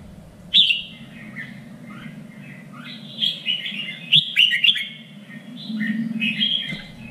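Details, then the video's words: Red-whiskered bulbul contest-training song: varied warbled phrases, some rich and slurred, others softer chirps, delivered in quick succession, with low hum and faint room noise behind. "LUYỆN CHÀO MÀO ĐẤU || GIỌNG CHUẨN 3 MIỀN"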